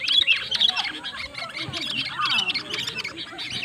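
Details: Sooty-headed bulbul used as a lure bird in a pikat duel against a rival bird. Dense, overlapping chirps and bubbly notes, busy and tangled throughout, with faint voices in the background.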